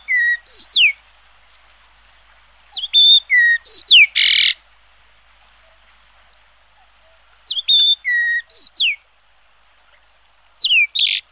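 Chinese grosbeak giving clear whistled notes, some rising and some falling, in short bursts of three to five, with one harsh buzzy note among them.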